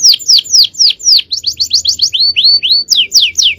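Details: Male canary singing energetic training song: evenly spaced steep descending whistles, a quick stuttering run of sweeps, then rising curved notes and more sharp downward whistles, about four notes each second.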